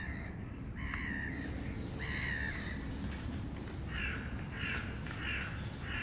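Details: Young crows calling while being fed, harsh nasal caws in short bursts, a few spaced near the start then a quicker run of four near the end, over steady low rumbling background noise.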